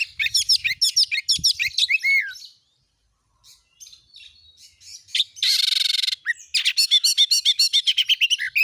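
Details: Oriental magpie-robin singing 'gacor nembak' as a lure for other magpie-robins: rapid chattering notes, a slurred whistle, a short silence, a harsh buzzy rasp, then a fast run of repeated clipped notes.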